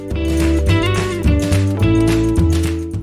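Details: Strummed acoustic guitar music fills the passage, with steady low chords and no animal voice.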